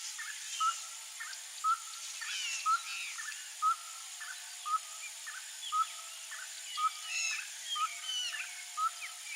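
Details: A wild Whistling heron in open grassland of the Cerrado biome, Brazil, gives a steady series of short, clear whistled notes about once a second, with other birds chattering and a steady insect hiss behind.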